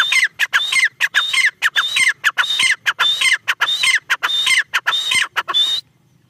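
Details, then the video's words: Steady run of a female black francolin's (teetar) calls: harsh, evenly spaced notes roughly every 0.6 seconds, each opening with a high level whistle and sliding down, ending abruptly near the close. "female tertar awaz"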